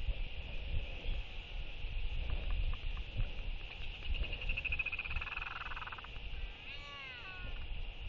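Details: Two royal albatrosses in a courtship interaction with skycalls and displays, 11.6.23: a soft rapid pulsed rattle builds over steady wind noise, followed by a short wavering nasal wail near the end.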